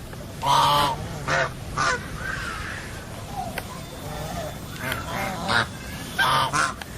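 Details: Several geese honking, loud harsh nasal calls coming in irregular bursts about every half second to a second, some overlapping, with quieter murmuring honks between the louder blasts.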